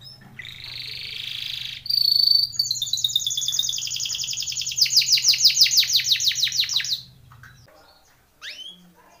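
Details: A Timbrado canary sings a training song: a buzzy opening, then a long rolling trill of fast repeated notes that grows louder before stopping abruptly, over a steady low hum.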